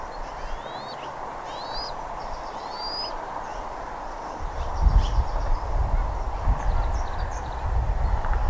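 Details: Bald eagle at Redding on 17 April 2021, 08:15 in the morning: three thin, high whistled notes, each rising then falling, in the first three seconds. Faint chips and a low rumble follow, over a steady broad hiss.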